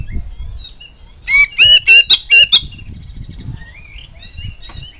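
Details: Oriental magpie-robin lure recording meant to prompt young birds to sing: one burst of about six loud, nasal, ringing notes, framed by quiet, thin twittering and low background rumble.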